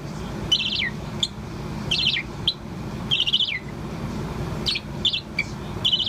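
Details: Young Bourke's parrot about four months old, a pet bird singing continuously: bursts of bright, high warbled chirps with quick downward slurs, repeated in irregular phrases every second or so over a steady low background hum.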